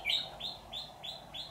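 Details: Red-whiskered bulbul recorded while being trapped. Five short, high, slightly rising notes are spaced about three per second over a soft background hum.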